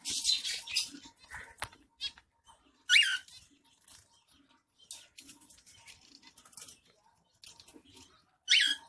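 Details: A zebra finch bathing in summer in Pondicherry gives short, nasal, toy-trumpet-like calls among splashing and scratchy noises.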